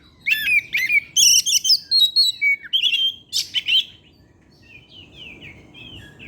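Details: Evening song of an Oriental magpie-robin, played to stir other birds to sing: a dense run of loud whistles, rasping notes and chirps for about four seconds, then only faint soft twittering.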